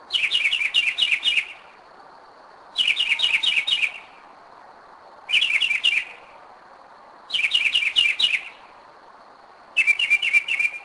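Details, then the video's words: Northern mockingbird, a bird that returns yearly to the same spot in Kennesaw, Georgia, sings at 2am: five loud phrases of rapid repeated high notes, each roughly a second and a half, recurring about every two and a half seconds. "Mockingbird 2am"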